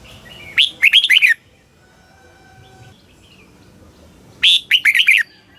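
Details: Red-whiskered bulbul from Thailand singing in the southern master style, played to excite caged birds and teach young ones: a quick burst of four or five bright, slurred whistles, then a pause of about three seconds before the phrase repeats.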